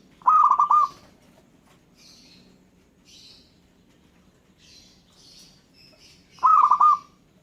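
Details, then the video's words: Two low, pulsed cooing phrases from a local zebra dove, six seconds apart. Other birds answer in between with soft high twitters and chirps. "Gara-gara Perkutut lokal ini, burung lain Langsung Nyaut dan Ngayer"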